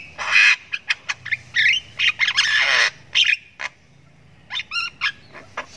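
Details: Ngriwik chirping from a Javan myna chick (jalak kebo sultan) learning to call: loud scratchy bursts tumble together, then after a brief pause come a few thin, stacked clipped notes.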